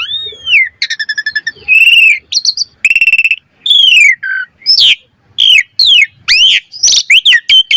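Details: Asian pied starling pumping out varied song as a training lure: a smooth arched whistle, a rapid ticking rattle, loud level whistles, then a string of sharp downslurred and upslurred squeals.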